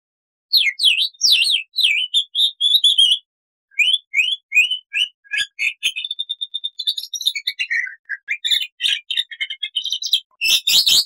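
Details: Black-winged starling singing actively on a loud, clear training recording: rapid slurred whistles, repeated rising whistled notes, a thin steady trill, then jumbled chatter and harsh buzzy bursts toward the end.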